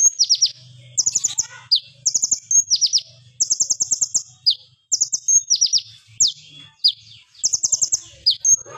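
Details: Plain flowerpecker delivering the piercing 'AK47 burst' style, meant as a lure for training other birds: a steady run of high, clipped tick volleys alternating with sharply dropping sweeps, separated by brief gaps.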